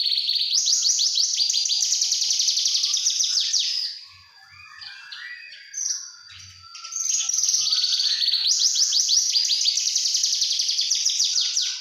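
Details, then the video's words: Young Javan bush lark in full song, a long run of fast, high, buzzy trills repeated several times a second, broken by a softer passage of scattered chirps and a thin whistle before the rapid trilling resumes. "Anakan branjangan AK 69 TSM"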